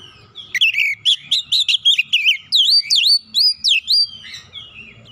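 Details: Oriental magpie-robin song played as a lure to coax a stressed, untrained bird into singing: a fast run of loud whistled notes, some rising and some falling, then clear upslurred whistles, with a faint low hum beneath.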